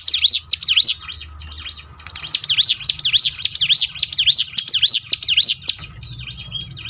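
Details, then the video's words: Mountain prinia pouring out a steady series of loud, high, swooping whistled notes roughly twice a second, tapering to softer chirps at the end. Low background hum. Used to prompt birds to sing more often. "ciblek gunung mana yang gak tergoda ikut berbunyi"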